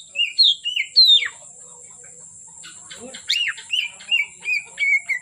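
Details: Oriental magpie-robin, singing vigorously from afternoon until dark: a few loud whistled slurs, a quieter gap of scratchy notes, then a string of short clear whistles, with a persistent high-pitched background tone.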